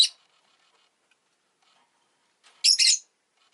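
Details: Rosy-faced lovebird kept as a pet, one clipped chirp followed after a silence by a loud double screech.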